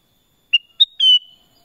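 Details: Kutilang emas, the black-crested bulbul, sings one clean phrase: two quick bright whistled notes, the second higher, followed by a longer sustained whistle that eases slightly down in pitch.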